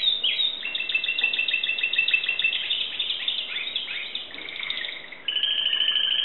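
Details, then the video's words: Timbrado canary, owner's bird in Greece, singing rapid buzzy tours of repeated notes, varying pitch, ending in a level sustained two-tone whistle. "greek canary timbrado singing song"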